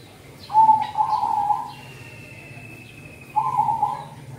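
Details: Zebra dove (merbok kampong) song used for luring and prompting birds in the cold season: two rolling, purring coo phrases, each about a second long, separated by a quiet gap, with a faint thin high tone between them.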